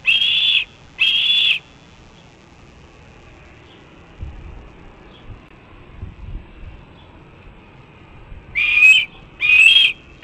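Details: Red-tailed hawk nestling at a Cornell nest on 28 June 2012 around midday, perched on the nest rail for hours, calling for food: two loud, drawn-out, slightly wavering whistles, a quiet pause with faint rustling, then two more whistles.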